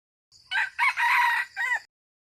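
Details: Crowing red junglefowl (qaib qus). A soft lead-in note is followed by two harsh bursts, a prolonged raspy middle and a brief final note, over a faint low hum.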